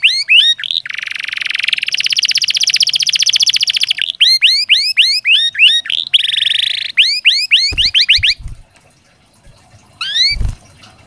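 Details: Canary pouring out rapid rising sweeps and a long buzzy rolling trill, used as therapy to get reluctant canaries singing; the song stops near the end, leaving quiet with a few dull knocks and one last upsweep.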